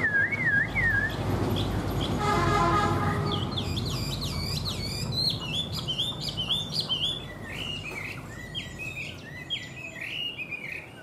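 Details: Caged Chinese hwamei, described as tame with one regrown claw, starting with wavering whistles. A horn-like tone sounds, then a long run of rapid, repeated chirping and looping whistled notes over traffic-like noise.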